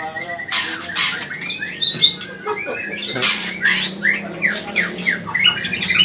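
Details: Provocation lure of a white-rumped shama (murai batu pastol): softer sequence of slurred whistles and descending sweeps broken by bursts of harsh, scratchy noise, with a low droning hum underneath.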